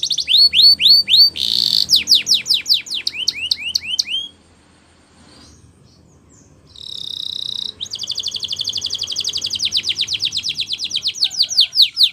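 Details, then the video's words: Spanish Timbrado canary singing a training song: bursts of rapid falling notes and a short buzz, a pause of near silence, then a held tone and a long fast rattling trill. "Canary's Most Powerful Song For Training"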